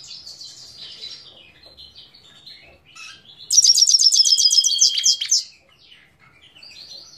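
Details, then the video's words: Himalayan goldfinch from Parachinar, Pakistan, 2022, singing: soft high twitters lead into a loud, fast run of repeated bright notes ending in a thin sustained whistle, then quiet twittering. "Parachinar Himalayan Goldfinch Singing 2022"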